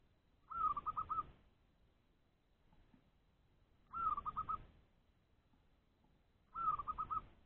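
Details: Caged zebra dove in a trap cage giving its ngorok or ngerot call to seek rival wild doves nearby; three bursts about three seconds apart, each a quick run of five or six pulsed, rolling coos, the first note slightly higher.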